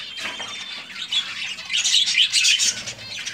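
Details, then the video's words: Budgerigars calling in a breeding colony, a thick layer of high warbling chirps that grows louder and busier in the second half, many birds overlapping. "Budgies Parrot colony"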